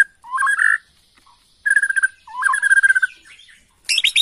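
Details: Bornean white-rumped shama lure song: buzzy warbled phrases separated by pauses, rapid pulsed notes, and a harsh burst at the end.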